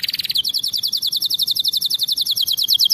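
A canary sings a fast, even trill of high, sharp notes, about ten per second, after a brief buzzy opening phrase; nothing else is heard.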